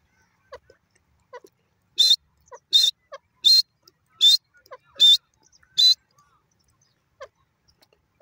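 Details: Teetar (francolin) voice: six loud, harsh, buzzy notes close together in the middle, framed by faint, soft, clipped notes before and after.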